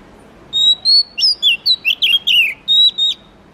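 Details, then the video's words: Oriental magpie-robin (kacer, murai kampung) delivering one lively phrase: a sustained level whistle opening, then a string of quick down-slurred sweet notes, ending with another held whistle; low hum in the background. "suara murai kampung/ kacer terbaik 2022"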